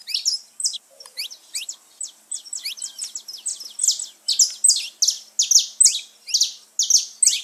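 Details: Saffron finch song played to stimulate pet birds to sing: a rapid, continuous run of high, sharp chirps and short buzzy notes, about two to three per second, bright and insistent throughout, with no other sounds.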